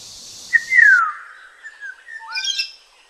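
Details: Black-naped oriole in Tainan City, 21 June 2017: a clear fluted whistle sliding down from high to lower pitch, followed by a few softer whistled notes and a brief upswept phrase, with faint background hiss early on.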